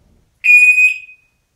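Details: Male African grey parrot kept indoors at home, copying a new beep learned from a security system installed in the house that week: a single very loud, pure, steady electronic-like tone lasting over half a second, with faint ringing overtones.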